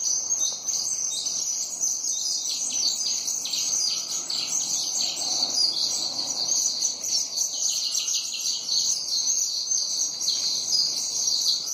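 A flock of sparrows chirps without pause, with many high, short, overlapping cheeps forming a steady chattering chorus.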